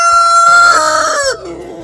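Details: A Black Cochin rooster crows in a backyard flock, a harsh drawn-out note that holds steady, then falls away at the end; hens have recently moulted and one shows interest in the nest.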